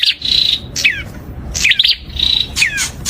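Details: Prinia singing a sweet, lively song: short high whistled notes held level, alternating with quick downward-sliding chirps in tight bursts, repeated several times with brief pauses; faint low background hum.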